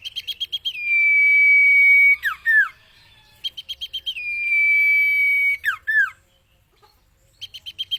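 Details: Cage-bird training recording of a common iora: two full phrases, each a string of about six clipped notes, a long even whistle and a pair of steeply falling slurred notes, with another note series starting at the end.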